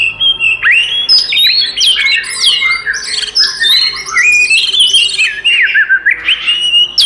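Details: Oriental magpie-robin fighting song intended to agitate other magpie-robins; long varied run of rising and falling whistles, warbled twists and sharp chips, with a faint steady low hum beneath.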